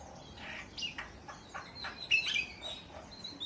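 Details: A bird making an assortment of short chirps and whistled notes, loudest mid-way with a bright, rich chirp, followed by softer high whistles, against a faint hissing background.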